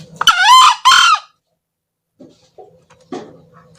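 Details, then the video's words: Male green junglefowl crowing, used as a lure for trapping: one loud, harsh two-part crow, the first longer syllable rising then falling, the second shorter, then a pause with a few faint low knocks and rustles. "SUARA KOKOK AYAM HUTAN HIJAU"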